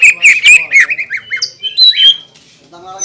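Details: Green leafbird song meant to provoke rival green leafbirds: loud sharp chips and rolling whistles, then rising and falling clear whistled notes, trailing off into a quiet buzzy phrase.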